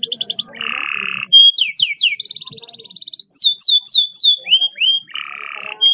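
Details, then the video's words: Tutor recording of a canary's long speed roll for stimulating quiet canaries: fast high rattles shift into a lower buzzy trill, then downward-sweeping whistles, a smooth fine trill, more slurred notes and another low buzz. "masteran kenari roll speed panjang cocok buwat pancingan kenari susah bunyi"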